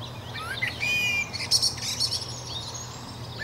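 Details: Common blackbird (merel) with a brief warbled, whistled phrase followed by a run of very high, rapid twittering notes, then fading; soft background chirping and a constant low hum.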